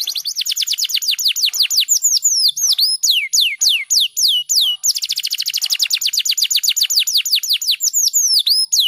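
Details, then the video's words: Canary singing a fast training song for other canaries: long runs of rapid repeated high downward-sweeping notes, tightly packed trills broken by brief pauses, with slower looping phrases between, loud and clean. "Masteran KENARI Speed Rapat Gacor Untuk MASTERAN"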